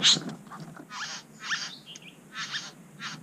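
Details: Wild Satin Bowerbird (Ptilonorhynchus violaceus) at its bower in NSW, Australia, with other bowerbirds nearby: short harsh, buzzy bursts spaced roughly half a second apart, one sharper note near the start, over quiet background.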